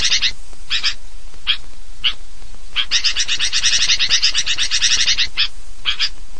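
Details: Sooty-headed bulbul lure recording meant to draw birds in: scattered sharp chirps at first, then a long, busy burst of overlapping high twittering notes from several birds, ending in a few short chirp groups.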